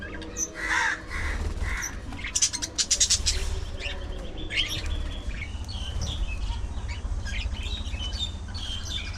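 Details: Budgerigars calling at afternoon feeding time, a flock in noisy chatter: rapid scratchy chirps and trilled bursts early on, then thinner scattered tweets over a strong steady low drone.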